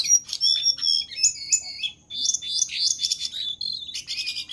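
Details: Jongkangan bird in lively, gacor song used as a master recording for training other birds: high, rapid twittering with short whistled notes and quick trills, nearly continuous, with a faint low hum underneath.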